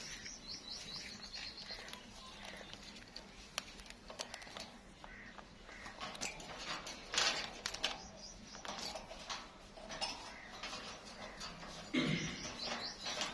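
A plum-headed parakeet gives shrill, squeaky chirps in short bursts at the start and near the end, over indoor noise and some faint voices.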